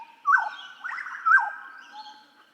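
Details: Hooded butcherbird song used to train songbirds: two loud, rich whistled notes sliding downward, about a second apart, joined by a sustained level tone and soft warbling.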